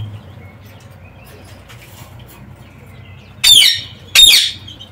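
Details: Quiet background with faint high notes, then two loud harsh screeches close together from parakeets in an aviary.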